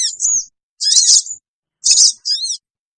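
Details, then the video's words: Lure call of a sooty-headed bulbul, for pulling in wild birds: four short bursts of high, harsh chatter and wavering chirps, separated by gaps of about half a second. "suara pikat burung kecil sogon bikin sogon liar cepat ngumpul"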